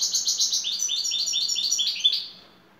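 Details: Turkish champion European goldfinch in şakşaklı song: a steady, rapid rattle of high, liquid twittered syllables, each repeated several times in quick succession, ending in a short trailing phrase.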